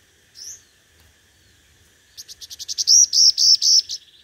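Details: Five-coloured sunbird lure bird in competitive song: one high slurred note, a pause, then an accelerating run of high buzzy chirps rising in loudness.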